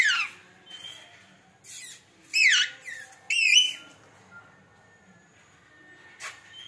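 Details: Parrot, described as a talking pet parrot, giving loud sweeping whistles, some rising and some falling and wavering, in short bursts spaced about a second apart with quiet gaps between, in a small indoor room.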